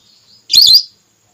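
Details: Hunting lure call of a female whistling duck, a single short, high, wavering whistled note after a faint thin whistle, with no other sounds.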